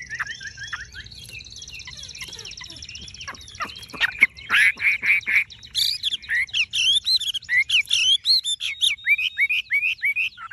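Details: Golden-yellow tame Chinese hwamei in a cage delivering fast, varied song: fluting whistles, then dense chattering and stuttered notes repeated about twice per second, growing louder and more continuous.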